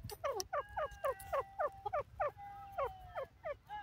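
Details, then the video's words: Grey francolin, known as Dakhni Teetar in South Asia, gives a loud run of harsh, ringing, downward-slurred notes repeated rapidly, about three to four per second, some notes trailing into a drawn-out tone. "grey partridge best teetar sound, dakhni teetar k awaz"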